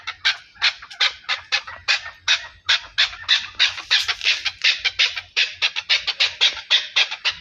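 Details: Chukar partridge, Pakistan, delivering a fast, driving series of raspy clucks that speeds into closely spaced pairs mid-way, over a faint low hum.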